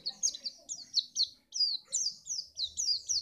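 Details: White-eye (pleci) singing, played so other birds sing for contests: clear, high, downslurred notes delivered in a quick rhythmic series with one brief pause, background quiet apart from faint low sounds.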